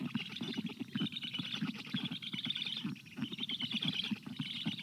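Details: Storklets of the black stork call for water during hot weather on 25 June 2022; steady rattling low pulses run beneath a breathy, higher wheezing hiss throughout.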